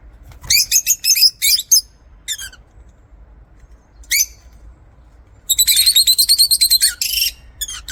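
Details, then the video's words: Lovebirds in an aviary give shrill, high, harmonic chirps: an early cluster of rapid squeaky notes, two isolated chirps, then a dense, fast chattering run of repeated sharp notes near the end. "LOVEBIRD SOUNDS"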